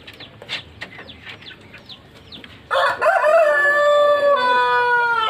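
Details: Long-wattled Pelung rooster opening a powerful crow after quiet chirping from other birds. The crow is harsh and bright at onset, then settles into a sustained, slowly falling drawn-out tone that lasts over two seconds.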